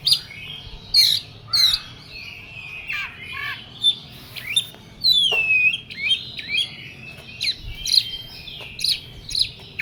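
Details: An excited Oriental magpie-robin sings loud, varied high whistles: sweeping downslurs, clipped chips and buzzy notes in quick succession. The phrases are separated by short pauses.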